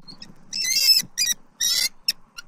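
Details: Bald eagles at a Southwest Florida nest on October 29, 2024, during the male's food deliveries to the female. Two harsh, high screeching bursts with brief squeaks between them and short gaps of quiet.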